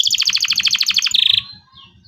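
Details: Local canary song for training young birds: a fast run of repeated broad chipping notes, about a dozen in a second, ending in a short buzzy trill and a faint whistle, with low thumps underneath.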